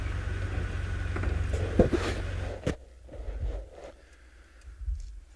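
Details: Low engine rumble with a sharp scrape and knock, then quieter background murmur; no animal voices.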